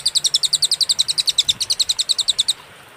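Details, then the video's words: Master recording of cililin song, clear and paused, made for teaching other songbirds: a steady run of shrill, high, clipped notes at about seven per second, stopping abruptly after two and a half seconds. "masteran suara, burung cililin suara jernih & berjeda"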